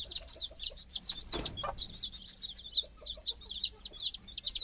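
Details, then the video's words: Night-time peeping from chicks settling beside their mother hen on the nest perch. Clear, high, downward-sliding cheeps repeat a little over twice a second, broken once by a sharp rustling thump, with soft low notes in between. "Mother Chicken Calling Chicks Go to Sleep - Baby Chicken Chirping Noises"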